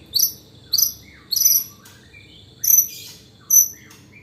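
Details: White-rumped shama mimicking hanging parrot (srindit) calls in a fighting-style song: very high, thin, shrill chips given singly or in short pairs about every half second to second, with softer lower slurred notes between.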